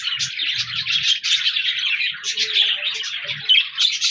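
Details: Chirping budgies, colourful parakeets, in a continuous flock chatter of rapid, overlapping warbles and squeaky notes, with a few soft low thuds near the start.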